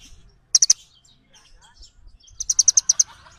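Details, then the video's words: Small birds calling to each other: three bright, clipped chirps, a quiet gap with faint twitters, then a faster run of seven high chirps. "សំឡេងសត្វចាបកន្លង់ | The sound of birds | Little birds call each other"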